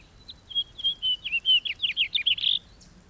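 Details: House finch singing a rambling warble. It starts with a few soft notes and builds into rapid twittering phrases that close on a harsh, buzzy downslurred note.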